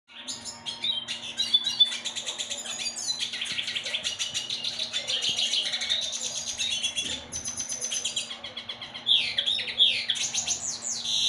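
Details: Hybrid of a yellow-bellied siskin (Carduelis xanthogastra) and a female red siskin (Carduelis cucullata) sings a long, fast, unbroken stream of high twittering and buzzy trills with a few sharp squeaky notes, over a low steady hum.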